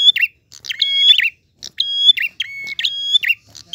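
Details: Prinia in lively 'ngalun' song, voice clear: repeated phrases of a snapping click, a sustained high whistle over a second lower tone, and a dipping finish, with brief gaps between.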